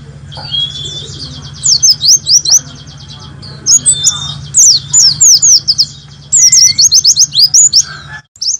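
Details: Warbling white-eye tutor song for caged birds, 'nembak' style, intended for morning playback: repeated bursts of sharp, high, swooping notes separated by short gaps, a thin whistle and steady low hum behind.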